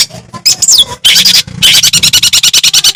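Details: Madura long-tailed shrike song played to provoke rival shrikes: a swooping whistle and rasping bursts, followed by a rapid, regular series of harsh buzzy notes.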